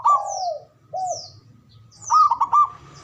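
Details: Male zebra dove (perkutut) giving the ngoar manggung call, used to stimulate mating arousal: low, rounded cooing notes, a long first phrase, a shorter second, then a quick stuttered burst of three notes, with thin descending high whistles above.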